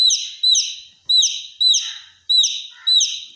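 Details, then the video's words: Baby chick giving shrill, piercing peeps likened to a fire alarm: six loud, high, steady notes, each with a brief falling start, repeated roughly every half second with short gaps. "Baby chick sounds like a fire alarm"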